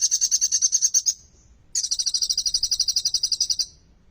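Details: Olive-backed sunbird (kolibri ninja) singing vigorously, its song loaded with bar-winged prinia (ciblek) phrases, used as a lure to prompt silent sunbirds to sing: a one-second high trill of rapid notes, a pause, then a longer two-second buzzy trill.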